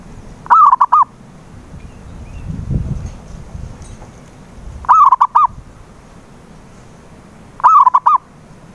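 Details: Local zebra dove cooing, meant to prompt a mute dove to sing: three stuttering coo phrases with long gaps, and a low rumbling noise between the first two.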